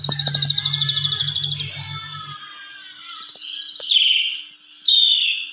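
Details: Asian pied starling in a provocation lure recording meant to rile other starlings into full varied song: long buzzy rattling trill, then harsh descending squeals after a pause, over a low droning hum early on.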